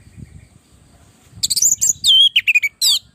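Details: Orange-headed thrush singing lively as a training and provoking song for other birds: after a quiet start, a burst of high, varied whistled phrases with sliding, swooping notes and short chirps, each coming quickly.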